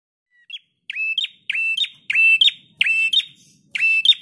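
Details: Prinia singing loudly as a master recording for training cage birds: after a faint opening note, short phrases follow about every 0.6 seconds, each a sharp note, a steady buzzy rasp and a higher upward flick at the end. No other sounds.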